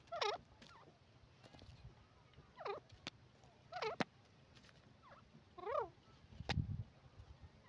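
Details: Grey francolin (desi teetar) calling: loud, ringing notes with several stacked harmonic tones, given in short bursts at roughly one- to two-second gaps. Faint clicks and a low thump are also heard near the end.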